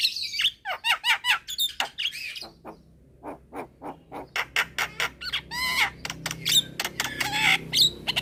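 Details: Midday Javan myna calls, a young bird drawing replies from others: loud regular harsh chacks, then quieter ticks building again into squeaky whistles and rasps.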